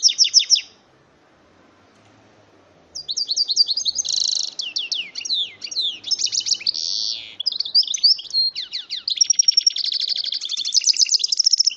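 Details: Goldfinch × canary hybrid bird, offspring of a male goldfinch and female canary, delivering a long varied high song of rapid twitters, buzzy rolls and sweeping notes after a brief opening burst and a pause.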